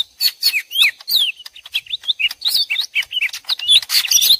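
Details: Lesser green leafbirds, two individuals trading calls as if fighting, combined for luring: a continuous chatter of downslurred whistles, chirps and buzzy notes with hardly any gaps.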